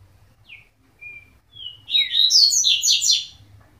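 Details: A coleiro opens with a few thin, spaced whistles, then breaks into a rich, fast jumble of high chirps and warbled notes lasting over a second.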